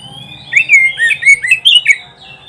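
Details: Song of an oriental magpie-robin, used as a training recording for pet birds, opening with a thin rising whistle then a rapid run of six loud slurred, whistled notes with sharp clicks, over a faint low hum.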